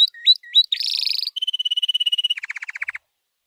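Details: White canary training song: a few upslurred chirps, a harsh buzzy burst, an even run of steady high repeated notes, then a lower fast series of short pulses.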